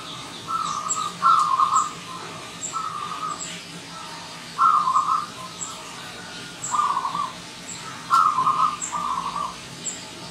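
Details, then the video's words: Wild zebra dove arriving as a visitor, its rolling, trilled coos coming in short clusters of two or three phrases every couple of seconds, steady mid pitch, with scattered thin high chirps of other birds behind. "Kedatangan Tamu Perkutut Liar"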